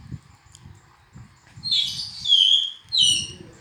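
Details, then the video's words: Oriental magpie-robin, black-and-white bird, giving a short burst of sweet whistled notes, a long slurred descending whistle followed by a brighter rising phrase, after a quiet start with soft low rumbling. "kicauan burung hitam putih(kacer)"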